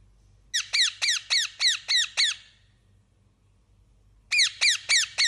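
A parrot gives shrill, harmonic chirps that drop in pitch, about four per second. A run of six is followed by a pause, then four more.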